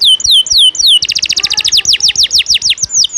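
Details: Canary in energetic 'ngejos' style song, recorded as tutor material for songbirds: three high curved whistles, then a fast, loud series of repeated downslurred notes and a final pair of thin slurred whistles.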